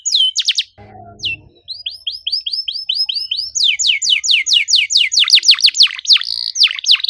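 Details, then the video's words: Canary 'cuit cuit' song played to trigger a silent canary: brief high chirps, a low rustling noise, then a steady row of short rising-falling whistles, building into loud fast descending chirps and a buzzy trill. "PANCINGAN KENARI MACET GACOR NEMBAK RAPAT CUIT CUIT DIJAMIN AUTO BUNYI KALO DENGER KENARI INI!"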